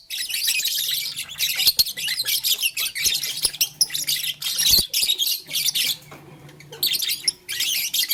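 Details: Flower-playing pet lovebirds in blue, lutino and green chatter in high harsh bursts, separated by sharp ticks, over a faint low electrical hum.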